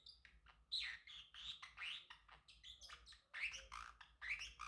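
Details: Male Pacific parrotlet sings and chirps in a long, busy warble of squeaky whistles, harsh rasps and sliding notes, delivered in quick uneven bursts.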